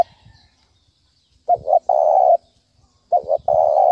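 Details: Spotted dove calling in the 'thúc bổi' style used to draw birds for trapping. Two clean phrases, each a short doubled coo and then a drawn-out mellow note, separated by silence.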